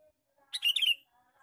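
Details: Male sooty-headed bulbul making a lure call: a single rapid, bubbly chatter of several notes over about half a second, with soft background hum after.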